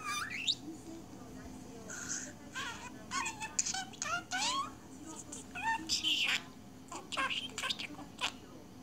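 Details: Budgerigar deeply absorbed in its own world, chattering indoors: a busy run of warbled, talk-like syllables with rising and falling harmonic notes, short squeaks and clicks, near-continuous across nine seconds over a low steady hum.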